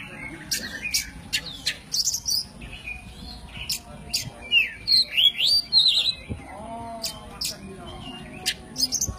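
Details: Oriental magpie-robin, white-breasted form known locally as kacer poci, singing an 'isian alasan' forest-fill master song for training songbirds: sharp whistled notes and rising-falling buzzy phrases with clicks in irregular bursts, over faint low background rumble.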